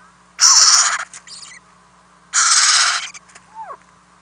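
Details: Nest-house owlets begging through the night as adults bring food, April 2018: two loud rasping hiss bursts about two seconds apart, with a short descending squeal between them and a steady low hum.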